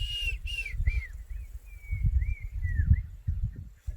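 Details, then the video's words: Black-crowned Tchagra in the Greater Kruger bush in the morning, giving an unusual call of half phrases and occasional full phrases: a run of clear whistled notes, some arched, some drawn-out and level, amid low rumbling background noise. "Very cool. He's doing quite an interesting call this morning."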